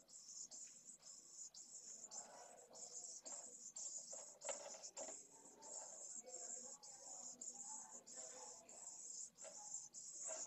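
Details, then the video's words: Begging pallid swift nestlings at a nest in Jerez de la Frontera, 8 September 2022, on a live nest cam: continuous high, hissing buzz broken into repeated half-second bursts, with muffled lower knocks and shuffling. "CHICKS ASKS FOOD.VENCEJO"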